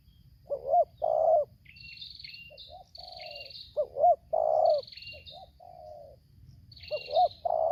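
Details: Lampung spotted dove (tekukur), decoy versus wild bird, in tarik akar selang nguku style. Deep coo phrases repeat, each a short double note and a long roll. Another bird whistles high, thin, stepped notes between them.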